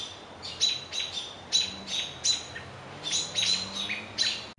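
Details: Several American robins (Turdus migratorius) mob an owl, flicking tails and pointing beaks at it to alert other birds: sharp, high chirps overlapping in an uneven, syncopated rhythm, roughly two or three bursts a second, calling over one another.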